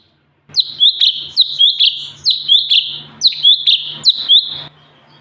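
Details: Sooty-headed bulbul song for training other songbirds: four bursts of loud, clear whistled phrases, each a quick rising chirp followed by a sustained bright note, repeated roughly every second.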